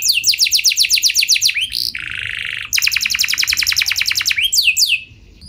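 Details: Canary lure song meant to set other canaries singing long rolling phrases: fast trilled sweeps, a brief harsh buzzy burst, then more rapid rolling trills ending in slower slurred notes.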